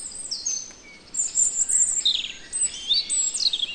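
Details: European robin from the Netherlands delivering a varied song of high, liquid whistles and tumbling twittered phrases in two bursts separated by a short pause, over faint outdoor hiss.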